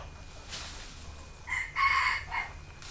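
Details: Captive young red junglefowl hens playing and dust-bathing in the dirt; two loud, hoarse, ringing call bursts close together near the middle, after a quieter lead-in, with a low background hum.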